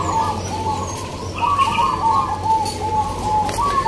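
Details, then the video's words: Local zebra doves singing (manggung) at a judged contest at Gantangan Singosaren, Yogyakarta: many birds' rhythmic, rolling coos at steady mid pitch, overlapping in quick succession, with crowd noise behind. "Lomba perkutut lokal"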